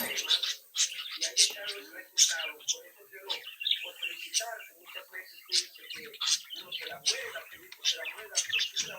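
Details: Brood of pet budgerigar chicks chirping, singing and imitating sounds as they play; rapid scratchy chattering with bright high chips repeated irregularly, talk-like warbled phrases running continuously.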